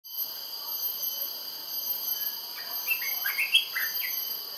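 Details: An olive-winged bulbul sings at Labrador Nature Reserve, Singapore: a short burst of bubbly, liquid notes rising and falling, over a steady high insect drone.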